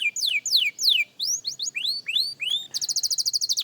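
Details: Beginner young canary practising: several long descending slurs, then a row of rising whistled notes, ending in a quick, evenly pulsed high trill.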